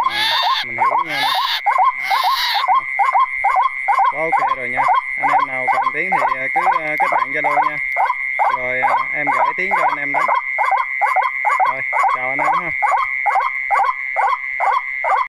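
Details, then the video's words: White-breasted waterhen call on test playback: a long series of fast, hoarse, clipped notes about twice a second, with a short burst of voice noise at the start and a steady high hum throughout. "Test tiếng quốc"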